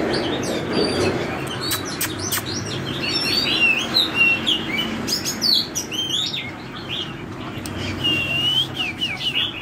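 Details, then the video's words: Oriental magpie-robin singing in the wild-style forest voice: a lively stream of varied, sharp whistled notes and quick slurs, high-pitched, with clicks and a steady hiss underneath. "chích chòe than dáng giọt nước hót xòe giọng rừng"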